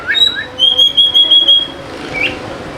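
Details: Oriental magpie-robin song meant to stir idle birds into singing: a brief slurred note, then a long steady high whistle pulsing about six times, fading to a faint chirp.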